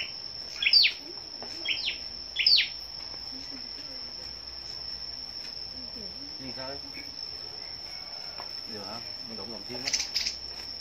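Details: Several scarlet-backed flowerpeckers gathered on a morning of 10 May, singing competitively: three sharp, high, descending chirps in the first three seconds, then a pause and another burst near the end, over a steady high whine and low background rumble.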